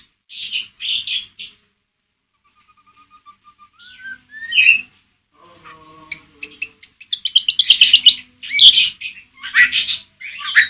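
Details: White-rumped shama, a Pastol-type bird, singing ngeriwik as a lure to stir a caged shama's emotion; mix of harsh buzzy bursts, clear rising whistles and rapid high twittering phrases, loud and varied, with long quiet gap early on.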